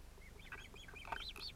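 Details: Ospreys at a nest in Finland on 31 July 2018, with a chick interrupting the adult pair. Dense overlapping high, thin whistled notes run continuously for under two seconds, some rising and falling, over a low steady hum.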